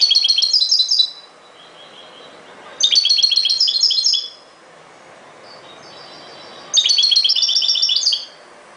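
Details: Repeated bursts of bright, rapid twittering from a European goldfinch, three phrases of jingling high notes each about a second long, with softer thin notes between them.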